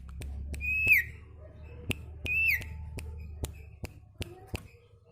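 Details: Sirtu ceplekan song used to train caged birds: two held whistles that bend down at the end, among repeated sharp clicks and a steady low hum.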